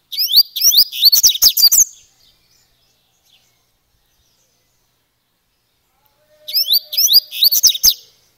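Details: Double-collared seedeater (coleiro) singing the song style called grego paulista gravata: two bursts of quick, high, sharp chirping notes, each about two seconds long, in a rapid repeated run, separated by several seconds of quiet.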